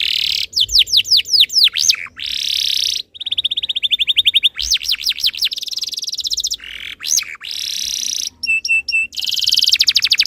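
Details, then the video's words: Canary tutor song for encouraging other canaries to sing: alternating phrases of looping swept whistles, steady rolling trills and dense buzzes, separated by brief pauses, varied and energetic. "MASTERAN BURUNG KENARI ABAD INI - BIKIN KENARI LAIN IKUT BUNYI"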